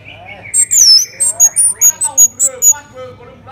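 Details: Song of an orange-headed thrush, played to make other birds sing: a soft slurred opening, then a quick series of about eight sharp, high whistled notes spaced roughly a quarter second apart, fading at the end.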